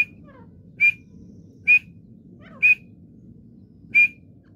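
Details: Partridge (teetar) calling: short, sharp, bright notes repeated about once a second, each a brief clipped burst, over a low steady background hum.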